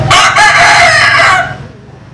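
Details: Vietnamese or American Sil rooster giving the loud drawn-out tail of a crow, harsh and richly harmonic, fading out after about a second and a half.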